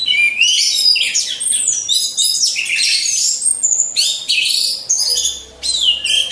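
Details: Orange-headed thrushes caged in a row, lure song for training contest birds: dense, loud, nonstop high warbling with sweeping slurred notes and fast chatter. A brief dip comes near the end.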